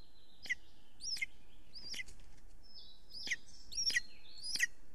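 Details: Golden eagle at its nest in Estonia, 6:53 pm, 3 June 2020, with big prey being brought: five sharp, high whistled yelps in two bursts separated by a pause, faint hiss and a thin flat tone behind them.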